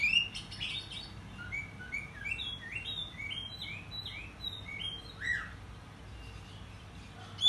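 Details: Oriental magpie-robin (kacer) singing in the morning as an excited lure song. Quiet, rapid series of short chirps and upslurred whistles continues throughout, against a steady low background hum.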